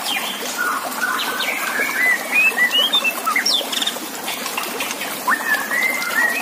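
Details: Shama song from a contest master recording with water running beneath: a string of varied whistled notes, some rising, some falling, in an uneven, chattering rhythm across several seconds.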